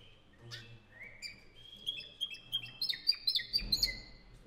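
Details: Spanish Timbrado canary of 2015, belonging to an Albacete song club, starts with soft scattered notes, then builds into a rapid trill of sharp high chips and level whistles, with a low hum in the background.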